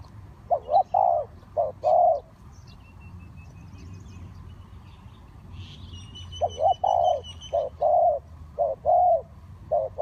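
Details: Spotted dove used for luring wild birds into a trap gives a few two-note coos, falls silent for about four seconds while faint high whistles sound, then resumes its paired cooing.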